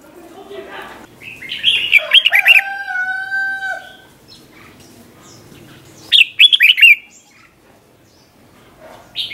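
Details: Red-whiskered bulbul 'เบิ้ล' style song used to teach young birds to copy: two rapid bursts of bright, chopped, warbling notes several seconds apart, with a long drawn-out harmonic call between them.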